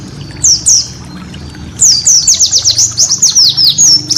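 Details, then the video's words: Cage-bird training master song of a white-eye, high-pitched: two sharp downslurred notes, a pause, then a lively run of quick descending chirps and slurred whistles. "masteran burung pleci"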